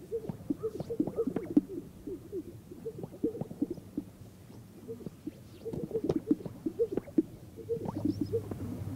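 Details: Greater sage-grouse mating display at dawn hours on a historical lek, North Park, Colorado sagebrush country; continuous chorus of low plopping and cooing pops from many birds, bursts swelling and fading, light low rumble underneath.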